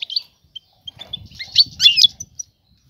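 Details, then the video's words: Calling female European goldfinch inviting a male to mate; a few high chirps, then a dense twittering burst of rising and falling notes, over faint low background rumble. "أنثى الحسون جاهزة, تبحث عن الذكر للتزاوج"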